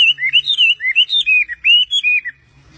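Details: A bird on its owner's hand sings a clear phrase of slurred whistles, each note swooping up or down. The phrase stops abruptly before the end.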